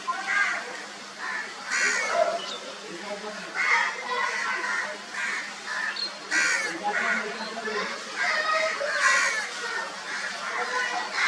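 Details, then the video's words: Crow calling while taking a bath, giving repeated harsh caws spaced about a second apart over a busy background with other birds and ambient noise. "Crow Taking Bath And Making Sound"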